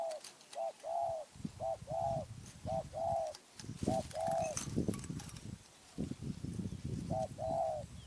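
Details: Spotted dove from Phrae, Thailand, cooing in repeated phrases: short paired notes leading into longer, slightly arched coos, the pattern recurring several times over steady low rumbling background noise.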